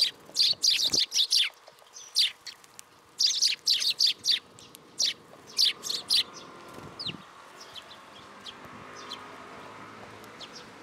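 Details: Sparrows crowd in for food at a Tenmangu shrine, 10 July 2022. Loud, rapid, shrill chirps come in bursts for about six seconds, then fade to faint distant cheeps over a low background hum.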